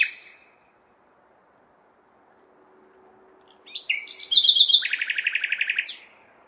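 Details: Common nightingale singing on a May night in a large city: a brief high note, a pause, then a loud phrase of rapid repeated chattering notes and whistles with a low city hum beneath.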